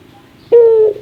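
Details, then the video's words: Single sustained hoot from a laughing Barbary dove, said to be its rarest call: one clean, steady note held for about half a second, sliding down slightly before it ends. "Suara ketawa burung puter,suara paling langka"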